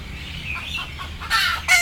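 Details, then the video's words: Chickens, sleepy and frightened before boarding, murmur softly, then let out two loud, harsh squawks in quick succession at the end. "Sound of sleepy Chicken"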